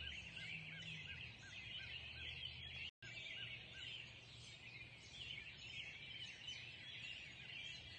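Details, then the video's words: Sunrise chorus of numerous birds, thick layered chirps and trills throughout, a regular run of short soft notes early on, steady low hum, and a brief silent break near three seconds. "Sunrise Early Morning Birds Singing"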